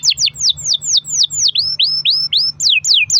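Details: Canary singing in long-roll style as a lure: about four loud downward-swooping whistled notes per second, then rising swoops, then falling ones again, with a faint low hum.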